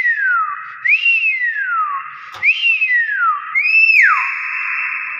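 Common hill myna giving loud, clear whistles that swoop up and then slide down in pitch, repeated three times over about five seconds.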